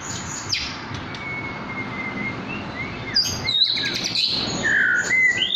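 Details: Forest-caught white-rumped shama in care, just beginning to sing: sparse clear whistles, a long steady note early on, then a loud slurred whistle and sharp high notes toward the end over a soft background hiss.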